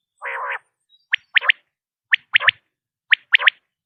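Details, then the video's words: Common quail opening with a low, buzzy nasal growl, then three evenly spaced triple-note phrases of crisp, liquid whistles about one second apart in quiet surroundings. "common quail sound"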